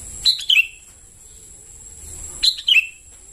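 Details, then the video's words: Sooty-headed bulbul young calling, a lure sound: two tight groups of three squeaky chirps, each group stepping downward, about two seconds apart, above a steady faint high whine. "Suara pancingan anakan burung kutilang memanggil"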